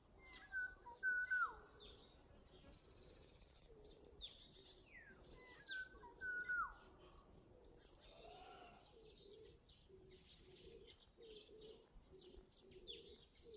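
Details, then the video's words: ['Early-summer bird of a yard and village lanes, unidentified, giving whistled phrases that drop in pitch twice early on, while many high chirps from other birds fill the background throughout.'] "초여름에 자주 듣는 이름모를 새소리"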